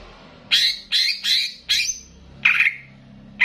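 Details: Banyuwangi greater green leafbird in a training recording with bebeci-style phrasing, meant to stir up other birds, giving harsh, scratchy squawk-like notes in separate bursts about every half second.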